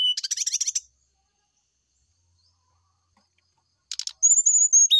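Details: Brown-chested jungle flycatcher in the morning, singing to provoke an answer: a dense buzzy chattering rattle, a long silence, another rattle, then a sustained high whistle ending in a lower note.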